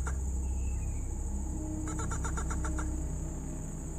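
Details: Playback of a rail call used for trapping, possibly white-throated or brown-throated rail: a quick burst of about eight harsh, clicking notes in under a second, over steady electronic hiss and low hum.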